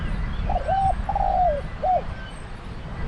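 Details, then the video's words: Zebra dove heard during Thai decoy trapping at a pen trap, giving a mellow three-part coo: a short rising note, a longer drawn-out falling note, then a brief final coo, against low background rumble. "#ต่อนกเขาใหญ่ EP373 #ฟ้าปทุม แก้มือเสียงใหญ่ให้เป็นต่อ #นกเขาใหญ่ต่อเพนียด #ต่อนกเขาชวา"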